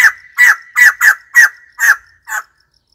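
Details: White-crested laughingthrush calling: seven harsh, loud, cackling notes delivered at roughly half-second intervals, each a broad burst with a strong band in the mid range, the last note softer and shorter; otherwise quiet.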